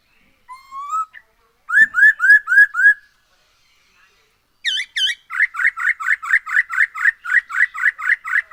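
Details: Black-throated laughingthrush singing, used as a lure to make birds sing more. A rising whistle opens, then a quick series of five upslurred whistled notes. After a pause comes a long run of rapid, evenly repeated clear whistles.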